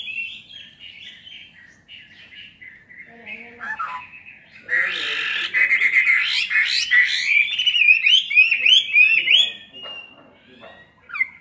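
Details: Caged Chinese hwamei, two years captive, fighting song: soft, scratchy warbling at first, then a sudden loud, dense outpouring of varied whistles and rapid chattering notes that fades again near the end.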